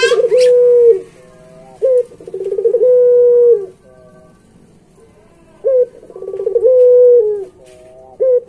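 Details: Barbary dove (puter pelung) in full song for training pet doves, giving two complete phrases. Each has a short sharp opening note, a rolling vibrato burst and a sustained low humming coo, with a quieter doubled tone between the phrases.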